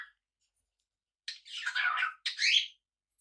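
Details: Cockatiel kept as a pet alongside budgies lets out two long, loud, rasping screeches, the second rising in pitch, separated by a brief break in an otherwise quiet room.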